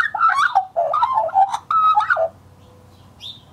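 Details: Scruffy juvenile male Australian magpie warbling in 2014: a loud, continuous run of fluting, gurgling notes that rise and fall, ending around two seconds in, followed by quiet and a faint high note.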